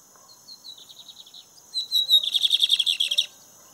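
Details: Lined seedeater singing a lot during an outing: a run of thin, high whistled notes, then a loud, rapid, buzzy trill of about a dozen pulses lasting over a second, over a steady faint high hum.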